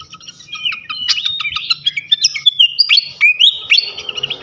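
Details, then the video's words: Flycatcher (sikatan) song played to provoke other flycatchers: a fast, varied run of bright whistled notes and sharp ticks, warbling up and down continuously with clear, clean sound. "Auto Konslet gacor ngeplong sikatan manapun sekali pancing ini."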